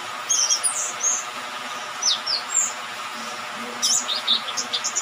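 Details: Young orange-headed thrush past its spotted juvenile stage, singing in dew and rain. Brief high whistles and chirps in short bursts separated by pauses, over a steady low hum.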